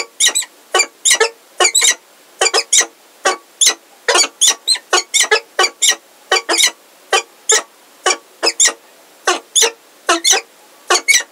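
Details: Heidelberg peregrine falcon pair, the male with a new unringed female, 17 February 2023, afternoon: a long run of grating, scratchy calls, often doubled, repeated rapidly and steadily for over ten seconds, in a quiet setting.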